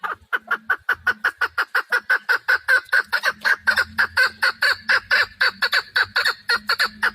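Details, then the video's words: Hunting chukar partridge calling without pause, a steady stream of loud clucking chuck notes, several each second, keeping an even pace through the whole stretch. "Модкабки шикори - Keklik - الحجل الطائر"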